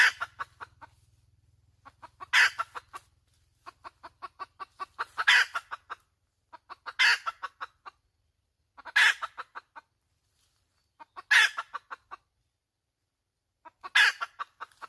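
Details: Hen giving a long cackling bout: rapid trains of clipped clucks punctuated by six loud, raspy squawks at fairly even intervals, with a faint low hum in the opening seconds.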